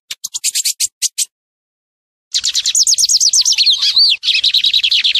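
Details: Lined seedeater song meant for training juveniles: a quick series of high chips, a pause, then rapid slurred downward whistles merging into a dense buzzy trill.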